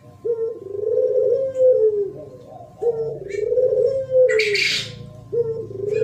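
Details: Spotted dove song in the thổ pháp style, recorded in 2023 and used to provoke wild birds, both males and females. Low mellow coos repeat about every two and a half seconds, each swelling then falling, with a brief hissing noise midway.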